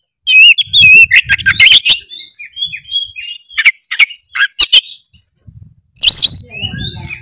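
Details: Oriental magpie-robin singing loudly to provoke a lazy bird: rapid scratchy chirps and clicks open the phrase, then clear short whistles alternate with sharp notes, ending in a harsh burst and further whistles over low rumbling.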